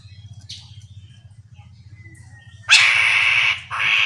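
Chestnut-capped laughingthrush: a faint thin whistle, then two loud, harsh, rasping bursts near the end, over a steady low pulsing hum.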